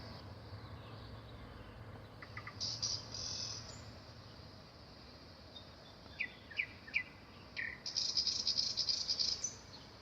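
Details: Nightingale song: short dry rattling trills high in pitch, separated by pauses, then a run of quick rising whistled notes followed by a long buzzy rattle, over steady faint background hiss.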